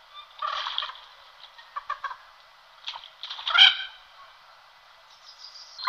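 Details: Common moorhen uttering its typical alarm cries: a run of gritty, clipped croaks and chattering notes with short gaps, building to a loud harsh squawk around the middle, then fading to soft scratchy calls.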